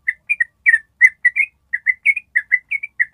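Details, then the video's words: Long ropel trill of a yellow-vented bulbul, played to train other birds to join in: quick run of bubbly, slurred whistled notes, each brief and slightly warbling, delivered almost three per second without a break. "SUARA TRUCUK ROPEL PANJANG"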